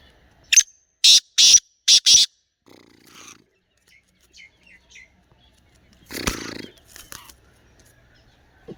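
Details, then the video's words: Black francolin, known locally as kala teetar, giving a loud grating call of five harsh, rasping bursts in quick rhythm. Softer sounds and a later noisy burst follow. "kala teetar awaz"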